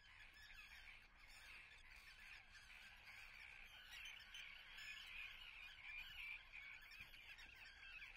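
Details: Many common terns call at their nests in Atlit, Israel, 10 June 2010. Harsh, scratchy cries pile up in a near-continuous, rapid chatter that swells slightly toward the end.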